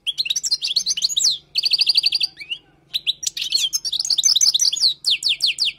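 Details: Tutoring song of a wild European goldfinch: fast twittered notes, an evenly repeated trill, a brief pause, then dense liquid chattering phrases ending in sharp downslurred whistles.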